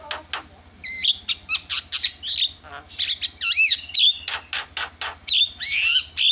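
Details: Javan myna lure recording meant to set other birds calling: a busy stream of bright whistles, looping warbled notes and harsh chatter, delivered in quick uneven bursts with no gaps.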